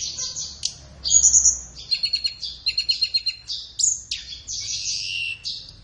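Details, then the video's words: High-pitched flowerpecker song, a training master meant for morning or afternoon sessions: dense twittering, a bright trill, then a rapid series of clicking chips and shrill slurred whistles. "SUARA BURUNG - Masteran Terbaik Tledekan"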